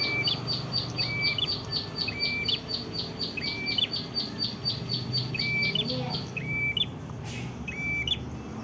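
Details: Red-headed prinia from Ngawi, East Java, singing busily: steady rapid ticking notes run beneath bright flat whistles that end in upward flicks, given roughly every second, with a brief noisy burst near the end.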